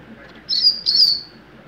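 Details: Young double-collared seedeater singing the mateiro song style: two bright, high whistled phrases, the second slightly longer and trailing downward, over faint background hiss.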